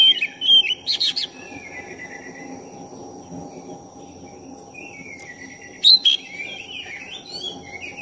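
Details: Black-breasted oriental magpie-robin singing briskly as a lure to stir up another magpie-robin: opening flurry of clipped, scratchy notes and whistles, several seconds of quiet hum, then another burst of sharp chirps and slurred whistles.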